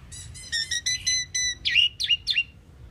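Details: Common pied myna, also called Indian maina, singing: a run of harmonic whistled notes stacked high, then three loud slurred squeaky notes rising and falling, over a faint low background hum.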